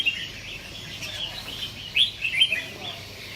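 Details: Bright, quick, whistled chirps from a competition-kept red-whiskered bulbul, tumbling in short bursts, the loudest notes two-thirds of the way through, with light background hiss.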